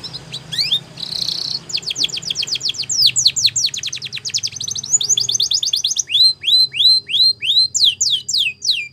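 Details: Spanish Timbrado canary singing as a training song for young canaries: a short buzzy burst, then rapid rolling trills of high descending sweeps, ending in slower, spaced down-slurred notes about three per second.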